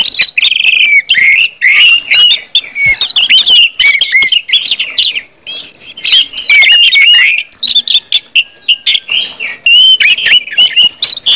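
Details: Orange-headed thrush delivering continuous 'ngeplong' song, a crowded torrent of high whistles, slurred sweeps and crisp clicks with only short pauses.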